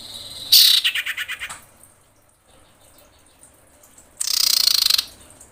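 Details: Common iora, a female in breeding mood calling the male: a harsh rattling burst of rapid pulses that slows and fades, a pause, then a second dense buzzing rattle lasting nearly a second.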